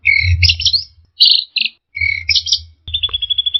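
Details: Orange-headed thrush singing in a training recording for caged birds: paired buzzy phrases, a bright whistled burst, then a fast even trill of about ten repeated notes, with a low background hum.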